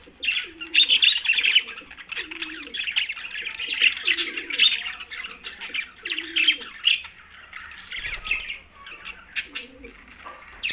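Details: Green budgerigars keep up a steady, busy twittering of scratchy chirps and squeaks. Short, low, hooting phrases repeat every second or two in the background, and a brief dull thump comes near the end.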